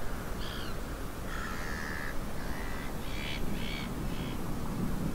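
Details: Little egrets gathering in autumn on the south side of the Arzal dam, Brittany, on 26 September 2024, give harsh, croaking calls in short bursts, about six in five seconds, over a steady low rumble of wind.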